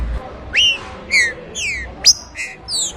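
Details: Few slow whistled notes of a rufous-bellied thrush, one rising then several falling, with a sharp high note near the middle, spaced about half a second apart.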